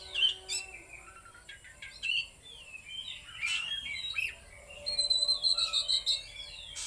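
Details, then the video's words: Oriental magpie-robin delivering trotol and konslet style song: scattered whistled and buzzy notes, then a bright run of quick repeated high chips toward the end, with low background rumble. "KACER LEPAS TROTOL KONSLET SUARA FULL POWER !!!"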